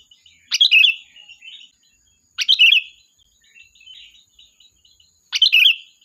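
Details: Energetic sooty-headed bulbul song meant to lure and call the flock. Three loud, gurgling phrases, each a bright high note falling into a warble, with softer chirping notes trailing between them.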